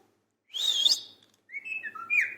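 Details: Pet parrot making two short bursts of sound: a harsh, noisy squawk-like phrase followed by a pause, then warbling whistled notes sliding up and down.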